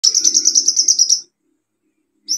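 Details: Olive-backed sunbird in vigorous song, played as a lure to get silent sunbirds singing again: a fast, even trill of about ten high, sharp notes over a second, then a pause and the start of another burst.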